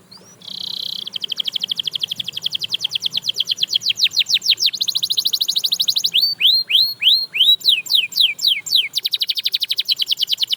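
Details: Singing canary opens with a buzzy note, then runs long rapid trills of falling whistles, slower spaced sweeps, and a final fast roll; a song that sets other canaries singing.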